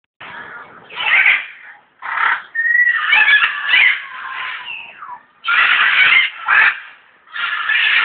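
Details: African grey parrot in the zoo at Alipore, Kolkata, India, giving loud harsh squawking calls in bursts about a second long, with a clear whistled note mixed in and brief pauses between the outbursts.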